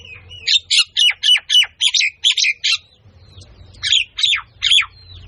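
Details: Myna giving a series of harsh, scratchy notes with downward-sweeping tails, about eight in quick succession, a short pause, then three more; quiet low background hum.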